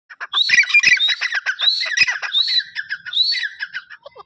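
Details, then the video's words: Pair of grey francolins (dakhni teetar) calling: loud, harsh, rapidly repeated squawking notes with rising whistled strokes, overlapping in a dense chorus throughout. "Amazing pairs dahkhni teeter/ 20 minutes sounds dahkhni teeter."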